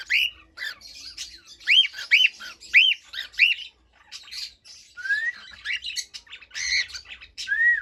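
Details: Cockatiel sings a rapid string of repeated arched whistles, about five in a row, then chatter and two long rising whistles.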